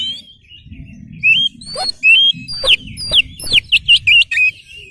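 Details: Oriental magpie-robin (kacer) used as a lure song to make others answer, giving loud, clear whistled notes that rise and fall, speeding into a quick run of sharp, bright syllables near the end, with soft low hum behind.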